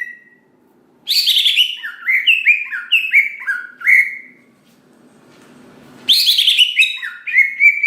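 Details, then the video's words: Greater green leafbird in full song, meant to provoke other leafbirds to sing: a run of loud, downward-slurred whistled notes in quick succession, a short silence, then another rapid phrase. "Cucak Ijo Gacor Paling Pintar Memancing Cucak Hijau Lain Agar Cepat Bunyi Gacor"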